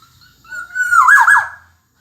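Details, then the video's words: Song phrase of the Black-naped oriole: faint introductory notes, a steady whistle growing louder, then a mellow tumbling flourish of looping notes before quiet. "Kicau Burung Kepodang Emas Gacor"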